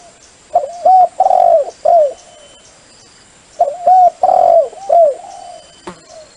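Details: Dove calling for use as a lure: clear low cooing phrases near 600–800, a short coo, a long drawn coo and a softer coo, repeated twice in quick groups with quiet gaps, faint electronic hum in the background.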